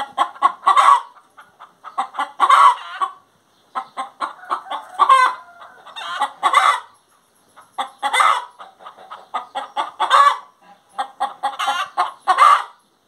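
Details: Extended song from a singing hen: repeated phrases of rapid clucks building to loud, harsh, drawn-out squawks, about six phrases separated by brief silences.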